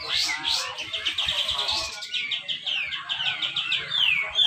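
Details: Black-crested bulbul in a song competition at Malinau, North Kalimantan, its tight rapid song used to prompt lazy caged bulbuls to sing; a fast chattering series of descending whistled notes and buzzy trills, with overlapping chirps.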